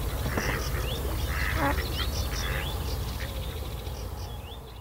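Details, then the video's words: Female mallard calling while being roughly mated at Kirriemuir RSPB, the mating male himself attacked by another male: short hoarse quacks early on, amid constant splashing and rumbling water noise. "Mallards (Anas platyrhynchos) - roughly mating and female calling"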